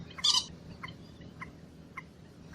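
A Common Moorhen gives one loud, harsh, abrupt note, followed by soft short ticking notes about every half second over a low steady hum.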